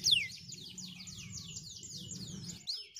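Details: White canary on dry stalks singing a string of quick descending whistled slurs, repeated evenly several times per second, over a low steady hum.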